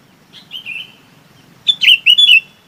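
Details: Chinese babax flock call: a soft drawn-out whistle, then three loud, clear, wavering whistled notes in quick succession.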